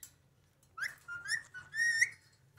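A rose-ringed parakeet mimics speech in three quick, shrill, whistly syllables, rising and bending in pitch, over a faint low hum.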